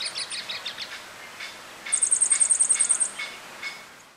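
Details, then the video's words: Yellow-faced Grassquit (Tiaris o. olivaceus) in Viñales, Cuba, July 2017, giving thin, very high, rapid insect-like trills, a dry buzzy series of about a dozen quick notes after softer twittering, with faint background ambience. "Tiaris grand-chanteur (Tiaris o. olivaceus) Yellow-faced Grassquit"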